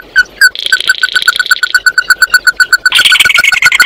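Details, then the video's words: Loud Oriental white-eye flock call, two sharp notes followed by a rapid, even, ringing trill of short notes, ending in rough buzzy chatter. "Tiếng kêu của chim Tí Hỉ, Chim Mắt Đỏ hót gọi bầy"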